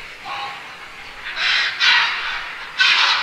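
Grey heron giving three harsh, rasping squawks, each about half a second long, over a faint hiss in the background.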